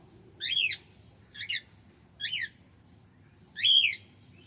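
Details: Male cockatiel calling: four loud, harmonic-rich chirps with an arched, rising-then-falling shape, spaced about one second apart, the last one longest, over a faint low hum.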